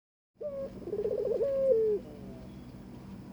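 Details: Barbary dove inviting its newly given mate to breed: a single rolling, fluttering coo that breaks into a long, level, slightly falling drawn-out note, then quiet.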